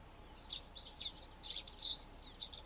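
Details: Common Waxbills, a flock, giving contact calls and song: high, thin, buzzy chips and a short wheezy rising phrase, several birds overlapping in quick bursts.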